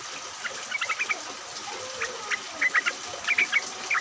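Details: Lure recording of yellow-vented bulbuls calling as a group in rain: a brief run of chirps, a pause, then sharp bright whistled notes in quick pairs over steady rain hiss.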